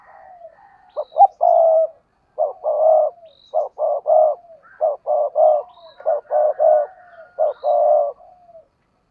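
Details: Spotted dove used as a decoy bird, giving fiery cooing: soft hooting notes bunched in short runs of two to four, the last often slurred and trailing off, with brief silences between phrases and no other clear sounds.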